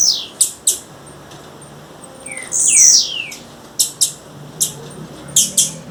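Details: A female blue-black grassquit calling in the wild: isolated high ticks, a brief falling whistle and one long buzzy rasping note, followed by more spaced sharp chips.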